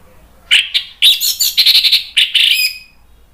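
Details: Orange-headed thrush song used as a lure to prompt other birds to answer and sing; short bright phrases of clear whistled notes near the upper range, in bursts with brief pauses, a rapid run of repeated notes in the middle.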